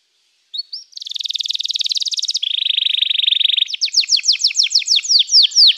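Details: Canary singing after a brief silence: a long, fast rattling trill that steps down in pitch, followed by a run of bright downslurred notes repeated several times a second.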